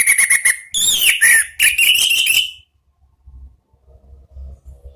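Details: Orange-headed thrush singing in the ngeplong style: loud, rapid bursts of clear whistles and sharp chirps, with sliding notes, for about two and a half seconds. A faint low hum follows in the quiet.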